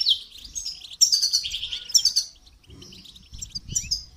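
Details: Goldfinch in song training, loud bright twittering phrases with tinkling trills in the first half, then softer scattered chirps with faint low background noise.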